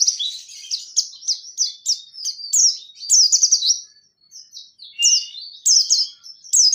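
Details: White-eye of the Dakun Pacitan type delivering a 'ngerol nembak' song: quick, bright chirped notes in rolling runs, many short downslurred elements, with a brief pause near the middle before the bursts resume.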